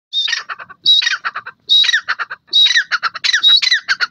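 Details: Francolin (teetar) calling: loud, harsh high squawk followed by a quick run of rattling, clipped notes, the phrase repeated about once a second, five phrases in four seconds against a quiet background.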